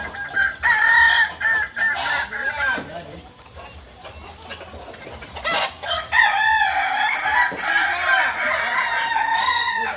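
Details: Kokok Balenggek chickens at a group practice session in Amko, Solok city, crow in turn. Short broken crowing phrases come first, then a quieter gap with a steady tone, then a long sustained multi-note crow.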